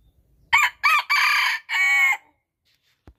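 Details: Rooster crowing in Thailand: one loud, hoarse cock-a-doodle-doo of four syllables, two short opening notes followed by two long drawn-out ones, all over in under two seconds, with quiet around it.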